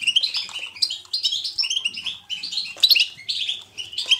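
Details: European goldfinch in 'batbata' song, lively twittering with buzzy, tinkling notes and quick high trills running almost without pause across the recording.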